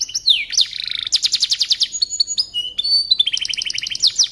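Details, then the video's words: Canary song used as training audio for magpie robins: rapid trills of repeated high notes, swooping down-slurred whistles, and a long sustained whistle near the end, continuous and loud. "Suara Burung Kenari Cocok Untuk Masteran Burung Murai Batu"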